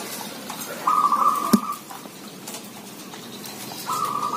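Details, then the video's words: Village zebra doves calling busily: two staccato cooing trills at a steady mid pitch, the first near one second and lasting about a second, the second starting near the end. A sharp click sounds between them over a low background hum. "Merbok kampung bunyi ramai"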